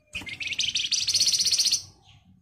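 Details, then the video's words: Flamboyan in dense 'ngebren rapat nyerecet' song, used as a lure so other birds answer quickly: a continuous, very fast, high buzzy trill lasting about one and a half seconds over a low background hum. "Flamboyan Gacor Emosi Ngebren Rapat Nyerecet Cocok buat Pancingan agar cepat Nyaut"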